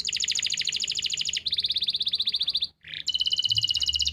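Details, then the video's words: Training song of a canary recorded in Pati, Central Java, to prompt young birds to start singing: dense high rapid trills changing speed and pitch, a short pause and a short note, then another fast rolling trill. "masteran untuk memancing burung kenari yang macet bunyi"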